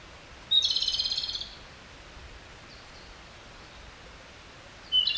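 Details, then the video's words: Japanese robin singing, described as subsong: a high whistled opening note leads into a fast, rattling trill of evenly spaced pulses lasting about a second. A long quiet gap follows, then a new phrase starts at the very end. "コマドリのさえずり（ぐぜり）Japanese robin Erithacus akahige song"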